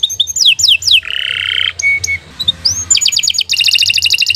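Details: Tutor canary singing falling whistled notes, a grating buzzy passage, a brief pause, then quick bright pulsed trills.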